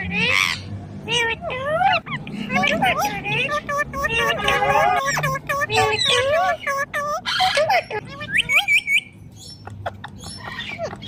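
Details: Indian ringneck parrot mimicking human speech: dense chattering of harmonic, bending syllables in quick succession, with a few sharp squawks and a rising whistled note near the end.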